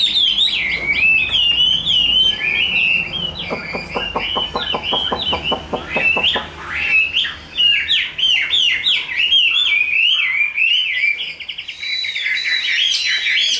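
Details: Large, tame Chinese hwamei kept caged as a fan-display fighter; long, varied song of fluid whistles and chattering phrases, with a run of rapid dry clicks in the middle and bright looping notes later.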